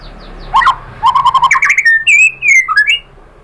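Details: White-rumped shama song used as a lure to provoke a rival into singing, with a varied mix of chips, rapid repeated notes and clear whistled phrases rising and falling, loud and close.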